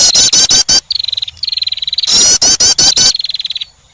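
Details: A female wren calling to attract. Loud grating chirps give way to a fast, high, pulsing trill, then another chirp burst and a closing trill.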